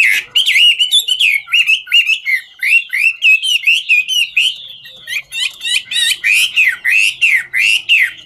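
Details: Chinese hwamei, ngũ trường song style, sings while dancing with a long energetic series of loud looping whistled notes, about two per second, steady and rhythmic.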